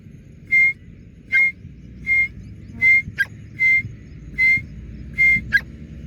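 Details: Young Dakhni grey francolin, not yet a full-grown teetar, calling outdoors near its keeper: a steady series of eight short, clear, level whistles, roughly one every 0.8 seconds, with a faint click between two notes.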